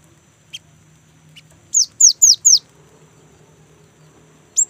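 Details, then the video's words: Young great tit's rolling song used as a lure for other great tits: faint clicks, then four loud high whistles falling steeply in pitch in quick succession, and one more note at the end. "GELATIK BATU MUDA GACOR | Glatik Ngerol Untuk Pancingan Gelatik Batu"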